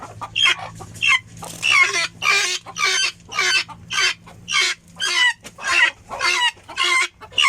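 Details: Helmeted guineafowl calling in a steady series of rasping, metallic bursts, roughly one and a half per second, with a soft low hum in the background.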